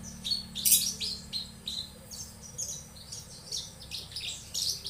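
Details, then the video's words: Young Javan bush lark singing a rapid, varied string of high chirps, short buzzy notes and sharp whistles, with a constant low hum behind. "branjangan Javanica muda || young Javanica bran"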